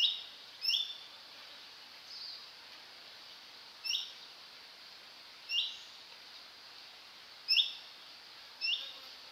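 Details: Single male Orange-bellied Leafbird recorded in Hong Kong, delivering bright, abrupt upward-flicking chips at irregular intervals of about one to two seconds, six or so in all, against a faint steady background hiss.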